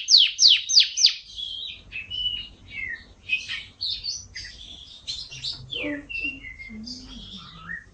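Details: Canary opening with three loud sweeping notes, then a varied jumble of chirps, whistles and short warbles that drop lower in pitch toward the end.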